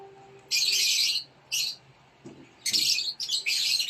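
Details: Rosy-faced lovebird young in a nest box, fed by an adult, give grating, scratchy hiss-like bursts, a long one, a short one, then a ragged cluster.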